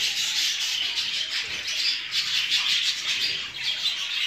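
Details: Jumbo show budgerigars in a breeding flock, an unbroken high-pitched jumble of tweets, warbles and gritty squawks at even loudness throughout.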